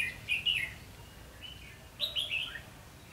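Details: Decoy-trapped red-whiskered bulbul in a singing contest, 19 July 2016: two clear bursts of whistled, slurred notes, each a quick three- to four-note phrase, with a softer note between them.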